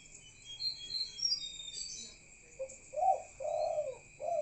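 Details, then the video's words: Spotted dove at night: after high chirping from other birds, a short note leads into three soft, hollow coos, with a steady thin drone in the background. "BURUNG CEKUKUR BUNYI DI MALAM HARII"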